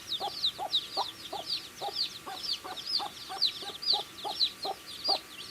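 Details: Baby chicks eating food, giving many overlapping high chirps, short descending peeps about twice per second from several birds, with soft low pecking taps beneath and a steady faint hum.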